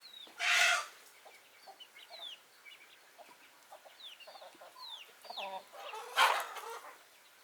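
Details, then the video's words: Backyard chickens: two loud, harsh squawks, one near the start and one near the end. Many quick, thin chirps from small birds fill the gap between them. "Chicken Sounds, Backyard Chicken"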